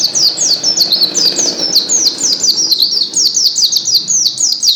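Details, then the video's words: Vigorous white-eye song associated with Gresik: a nonstop stream of fast, high, downward-sweeping notes, tightly packed and evenly loud throughout. "SUARA BURUNG PLECI GACOR"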